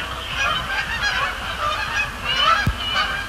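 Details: Canada geese calling on a Thursday night at Sapsucker Woods Pond, a thick overlapping honking chorus with a single click late on and steady low-frequency hum.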